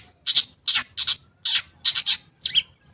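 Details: Long-tailed shrike used to coax silent shrikes into song: rasping double notes in paired bursts roughly every half second, ending with a thin high whistle.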